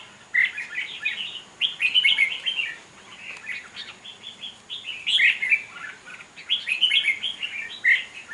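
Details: A wild-caught Red-whiskered bulbul sings at a bird contest on 5 November 2023. Loud, quick, chirping and warbling phrases repeat in short bursts separated by brief pauses, over a faint steady background hum.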